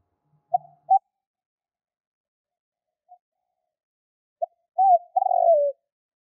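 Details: Spotted dove call used as a hunting lure. Scattered short coos open the clip, then after a pause one fuller phrase follows: a quick note, a bent coo and a long falling, rolling coo.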